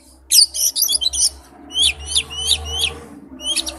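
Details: Oriental magpie-robin with wild-type song, rapid bursts of high sharp notes followed by a series of clear downslurred whistles, a low hum underneath.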